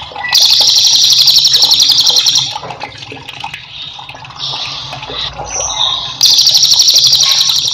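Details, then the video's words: A cililin in full song, used as training audio for other songbirds, sings a dense, high, buzzy trill of rapid notes in two long bursts, with softer chirps and faint rustling in the quieter gap between. "cililin gacor"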